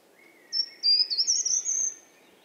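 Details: Short-toed treecreeper (Certhia brachydactyla) singing in winter: one very short phrase of thin, very high notes, about a second and a half long, quickening and running together, over a faint low hum.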